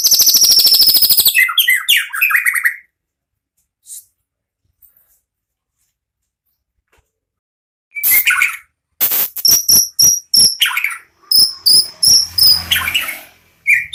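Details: White-rumped shama, caged and bred from a national champion line, sings prolifically: a loud high trilled burst, a long silence, then clicking, harsh notes and high sharp whistles repeated about three times a second.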